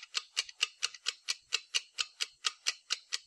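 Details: Two rufous woodpeckers attacking an ant's nest: sharp, dry hammering taps at a steady pace of about four per second, with nothing else heard.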